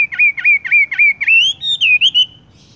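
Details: Horsfield's bush lark tung roll song: five quick dipping whistles in a row, then a rising warbled flourish that fades out.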